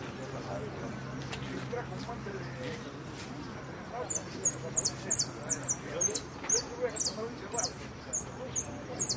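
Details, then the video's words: Jilguero, a saffron finch, singing at a Copa Federación songbird competition in the blanco de repique class, dated 23 02 14. After about four seconds, sharp, very high chirps repeat in quick bursts over steady voices and crowd murmur. "Participo en Blanco de Repique Copa Federacion"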